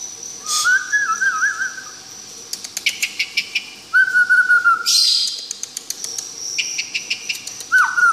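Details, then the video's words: White-rumped shama from Tangse, Aceh, giving low wavering whistles and a couple of drawn-out level whistled notes separated by pauses, with scattered clicks and a steady high whine behind. "Suara Asli Murai Batu Tangse Aceh"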